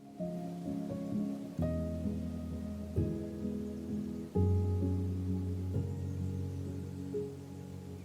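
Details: Soft instrumental music with sustained low, layered tones and chords that change roughly every one and a half seconds, plus a faint rain-like hiss; no animal calls.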